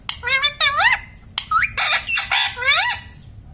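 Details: Pet parrot said to talk, saying mummy and papa: a quick string of six or seven nasal, wavering squawk-like syllables that bend up and down in pitch, delivered almost continuously over a few seconds.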